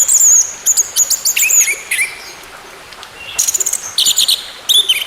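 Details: Orange-headed thrush song used to coax a silent bird back into singing: rapid high, thin chirps and sharp down-slurred notes in quick bursts, with a short quiet gap midway over steady background hiss.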